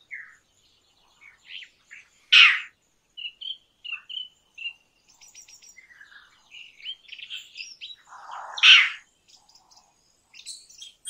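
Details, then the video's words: Indian roller giving two loud, harsh rasping bursts about six seconds apart, amid scattered thin chirps and short whistled notes from other birds. "Indian Roller Call ! Indian Roller Song ! Indian Roller Sounds ! Indian Roller Voice"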